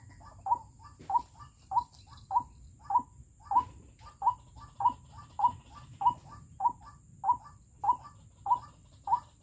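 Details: Rhythmic calling from a decoy White-breasted Waterhen set out to lure wild birds into snares: crisp single notes, each paired with a fainter after-note, repeated evenly around once every 0.6 seconds, with a faint high whine behind.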